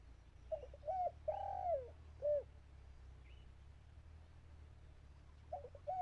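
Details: Calls of a caged decoy dove meant to attract wild birds: a cluster of warm, low coos with one long sliding note, a short pause-filled stretch, then two more coos near the end over a constant low rumble.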